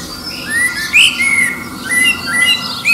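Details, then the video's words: Common blackbird singing near Liverpool under an airport flight path, competing with distant birds to find a mate; enhanced recording of mellow fluted whistles sliding around a steady pitch, several short phrases with brief high twittered flourishes between them. "Song of the Black Bird"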